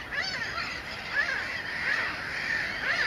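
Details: At the Sol de Loire breeding colony near Montjean-sur-Loire, Maine-et-Loire, 12 May 2013, Mediterranean gulls call among black-headed gulls and common terns: drawn-out arched wailing notes, several birds overlapping against steady colony noise.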